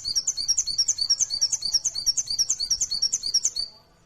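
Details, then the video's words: Rapid, even series of high chirping notes from a mountain white-eye, used to prompt other birds to sing, running about three per second before fading out near the end. "Burung pleci full nembak | Pancingan 100% ampuh bahan cepat gacor buka paruh bongkar isian"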